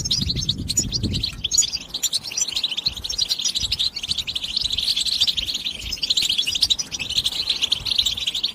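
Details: European goldfinch song used as stimulation, a rapid continuous run of bright, high twittering and tinkling notes, dense and unbroken, with a brief low rumble at the start.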